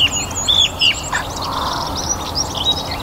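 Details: Spring evening chorus in a North Antrim garden, song thrush in full voice after a warm sunny day: short clear whistled notes and sharp chirps scattered through a busy background of other songbirds.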